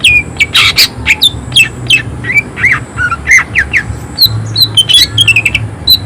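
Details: Excited greater green leafbird delivering rough, harsh shot phrases: quick downward-slurred whistles, squawky bursts and clipped chirps in an unbroken, varied stream, with a constant low droning hum behind.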